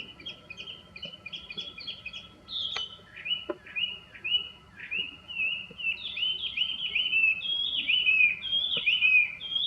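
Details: Chinese hwamei in a cherry tree in full bloom, loud melodious song of varied whistled phrases, rising and falling slurred notes repeated in quick succession, with softer chirps early on and faint clicks.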